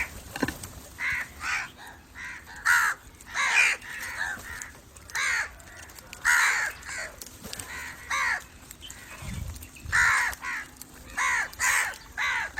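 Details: Long loose run of about sixteen rasping crow caws, coming singly and in pairs with short gaps, harsh and nasal throughout.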